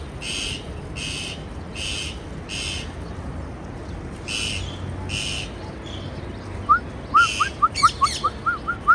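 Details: Parakeet chirps: four evenly spaced rasping squawks, a pause, two more, then a rapid string of thin, rising whistled notes mixed with further squawks toward the end.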